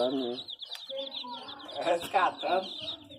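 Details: Chicks give a steady stream of high, thin peeps, quick and repeated, while a person talks over them at moments.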